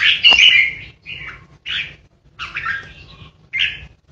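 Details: Caged decoy red-whiskered bulbul singing in the 'ché' style aimed at threatening rivals: a strong rich opening note followed by softer, scattered buzzy and whistled phrases with quiet pauses.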